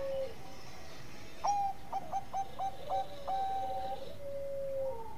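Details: Perkutut of the Bangkok type, a zebra dove, cooing to prompt rival birds to call: a low level note opens, then a run of about six quick clipped notes leads into a long, flat, lower coo, over steady background hiss.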